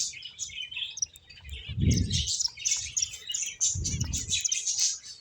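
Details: Several finches playing, giving dense high chirps and short tweets overlapping continuously, with two brief low thumps or bumps in the background.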